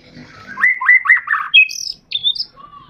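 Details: White-rumped shama song for prompting caged birds to sing; brief burst of fast downslurred whistles followed by thin high piping notes and a soft low whistle.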